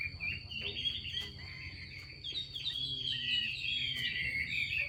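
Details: Female Chinese hwamei calling ('xùy') to stimulate males to sing; rapid chattering notes, about three per second, merge into a long rising and falling warbled phrase toward the end, over a constant high whine.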